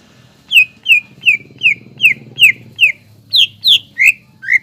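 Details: Greater green leafbird song played to rouse young leafbirds: evenly repeated falling whistles about two and a half per second, the final few pitched higher then lower, low rumble underneath.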